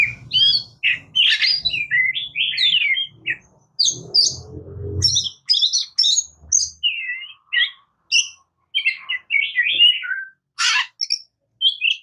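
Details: Varied song of an Oriental magpie-robin, locally murai kampung or kacer: fast sequences of sweet whistles, trills and scratchy notes, delivered in bursts with short pauses, with some low rumbling noise early on.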